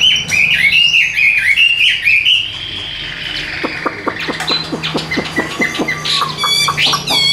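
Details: Tame caged Chinese hwamei singing while gently carried by hand: loud, varied whistled phrases sliding up and down, then a run of sharp rapid clicking notes and high tinkling trills at the end.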